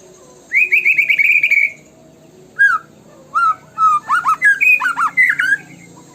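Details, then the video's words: White-rumped shama song of the tembakan type used as a lure: a rolling warbled trill, pauses, then clipped whistles and a rapid series of sharp rising-falling notes. "PUTAR PANCINGAN MURAI BATU INI LANGSUNG BUNYI GACOR FULLISIAN!"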